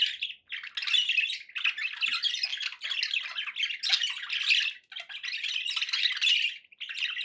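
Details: Domestic budgies squawk and warble in a busy, unbroken chorus of harsh, high chirrups, short bursts running into each other with a couple of near-silent breaks.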